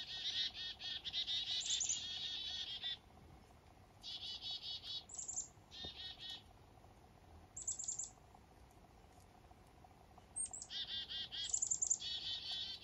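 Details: Black-capped chickadees waking up on a foggy morning in the north give short high notes, then runs of harsh, buzzy "dee-dee-dee" notes in bursts every few seconds, over a faint steady hum.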